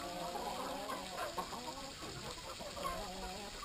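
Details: Flock of Brahma chickens around water, producing layered, buzzy clucks and drawn-out murmuring notes that run together with no pauses.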